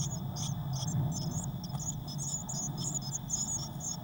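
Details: Eurasian blue tit chicks, six in a crowded nest box on 22 May 2019; soft high thin peeps repeated in quick bursts over a prominent low rumbling hum.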